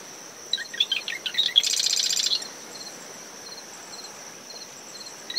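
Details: Dawn song of a marsh wren in dune vegetation surrounding a nest, brisk winds: a quick run of sharp notes followed by a grating buzz of about a second, then steady cricket chirps, wind and distant surf.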